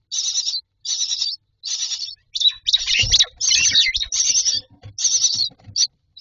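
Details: Nestling mynas calling for food inside a nest box, a series of raspy high wavering bursts, roughly one per second, rising into a louder overlapping chorus with thumps and scraping from the box.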